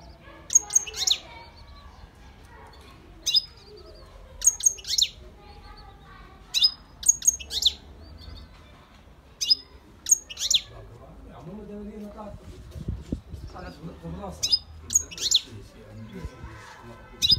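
A European goldfinch sings bright, tinkling bursts of high chirps and twitters, calling to a female.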